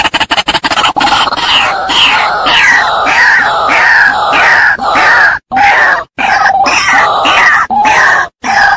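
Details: Female White-breasted waterhen calling, used to lure birds: loud harsh croaking notes, each with a slightly falling tone, repeated in a steady series about every half second after a few opening clicks, with short gaps near the end.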